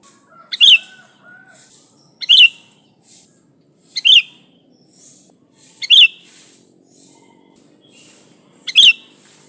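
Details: Vigorous sooty-headed bulbul, recorded to attract other bulbuls: five bright, abrupt chirps roughly every two seconds, each with a short lead-in note. Faint tonal whistles sound early on, with a continuous high hiss.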